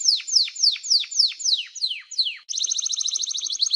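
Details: Canary singing a row of downward-swooping notes about four per second, then switching abruptly to a rapid rattling high trill.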